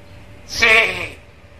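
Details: Black-capped lory that talks and copies varied sounds, giving one short, bright, voice-like utterance with a nasal, harmonic quality and a crisp onset.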